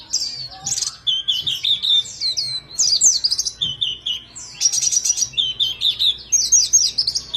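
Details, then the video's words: White-eye singing a varied, chattering phrase: high twittering notes mixed with lower buzzy trills, delivered in rapid bursts with short pauses between them. "pleci gacor mp3"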